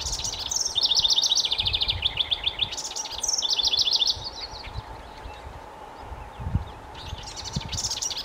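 A House Wren sings rapid, bubbling trills that tumble and churr in bursts of one to two seconds, over a steady faint hum and low rumbles.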